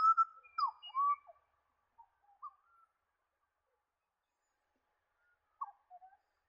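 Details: A pied butcherbird in wooded ridge country of the New England region, northern NSW, Australia, gives clear, fluty whistled notes that rise and fall in a short phrase, then a brief second burst after about three seconds.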